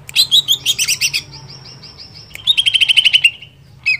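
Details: Energetic greater green leafbird song used to stir other leafbirds: a fast series of sharp, bright chirps, a pause with a thin sustained tone, then another rapid burst of about a dozen rattling notes, with a low background hum.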